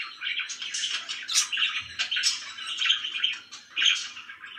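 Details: Pet budgerigars, described as very happy, chattering: busy overlapping chirps and buzzy warbles, a few bright clicks standing out, steady without pause.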